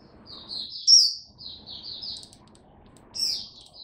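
An Oriental white-eye sings a rapid run of thin, high twittering notes, pauses, then resumes with a brief sweet burst over a faint low background hum.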